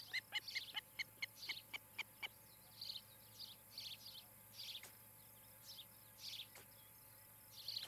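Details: Osprey at a nest in Charlo, Montana, on a nest camera on 17 July 2018 around 7 pm. A quick series of about ten sharp, clear chirps is followed by softer buzzy chirps from other birds, with faint steady background hiss.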